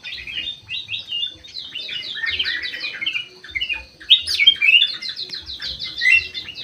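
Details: Ruby-throated bulbul (kutilang emas, white-eyed form) singing energetically inside an aviary: a continuous stream of quick chirps and short whistled slurs, louder whistles after four seconds, and faint low thumps underneath.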